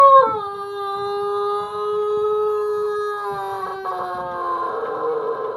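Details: Young Pelung rooster practising the long crow: one drawn-out, steady, harmonic crow that starts slightly higher, settles into a level tone held for nearly four seconds, then roughens and wavers toward the end.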